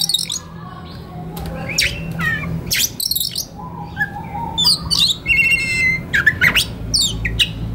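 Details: Oriental magpie-robin in relaxed song turning to konslet, used as a master for training young wild birds; irregular bursts of sharp chirps, buzzy notes and short whistles, roughly two per second, above a constant low hum.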